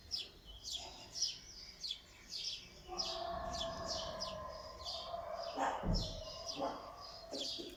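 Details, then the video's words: Birds chirping in the morning: repeated short, high chirps run throughout, while a lower droning, harsher sound rises from the middle onward, with one brief loud knock near the end. "birds chirping in the morning"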